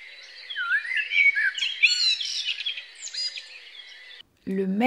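A common blackbird sings a rich, warbling phrase of fluty notes with twittery flourishes for about four seconds, then falls silent before a man's voice begins.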